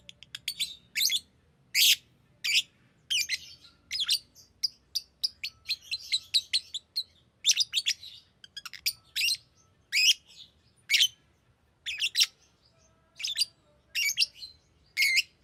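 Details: Busy, rapid chirping from a green lovebird: dense runs of high, grating notes and squeaky twitters, fast at first, then spaced into single harsh chirps about every second.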